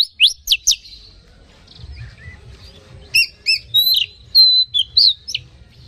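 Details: Oriental magpie-robin song used as a lure to stir other magpie-robins into excitement: sharp steep whistled notes, then a quieter gap and a burst of loud whistles and trills in quick succession.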